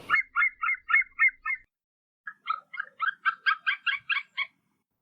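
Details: White-tailed eagle, the Eurasian sea eagle, calling in two bursts of quick, repeated yelping notes separated by a short pause, the second run rising in intensity; otherwise quiet background.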